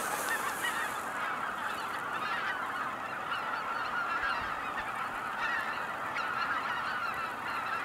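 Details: Flock of cackling geese at Kejonuma pond in Japan calling continuously, countless high-pitched yelping honks layered into a constant clamour, with a brief hiss of noise at the very start.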